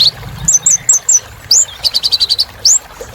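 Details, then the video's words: Little spiderhunter singing vigorously: a burst of four quick high upslurred whistles, then single rising sweeps and a fast run of about seven clipped sharp notes, against a faint low hum. "Kolibri Ninja Gacor Untuk Terapi Burung Macet Bunyi"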